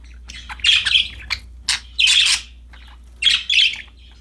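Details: Happy caged budgies playing with a new toy: three loud, broad, harsh chirp bursts about a second apart, each a scratchy squawk, with a faint low hum beneath.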